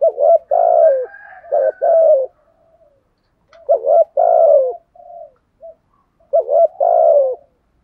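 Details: A spotted dove gives deep, mellow, throaty coos in phrases about two seconds long, in three bursts with short pauses between; nothing else is heard.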